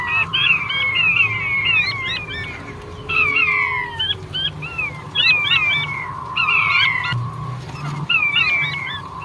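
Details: Series of bright downslurred whistles from a male king quail, delivered in groups every couple of seconds with quick rising flicks, over steady background hum.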